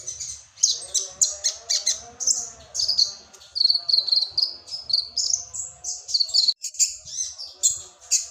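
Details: Sunbird known locally as kolibri ninja in a cricket-imitation song style: fast, sharp, high-pitched chirps and brief trills that rise and fall, delivered in steady bursts with little pause, over a quiet background.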